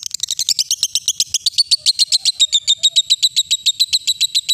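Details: Lovebird in ngekek song, a recording used to train young and adult birds. Piercing, high chattering trill: blurred rapid notes at first, then clear, regular, evenly spaced pulses continuing without a break.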